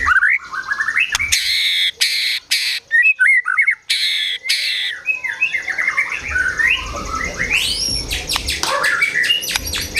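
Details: White-rumped shama in agitated gacor emosi song, filled with besetan, tembakan and sogon and kunti mimicry: harsh rasping bursts between short whistled phrases, then a dense tangle of chattering notes over background noise.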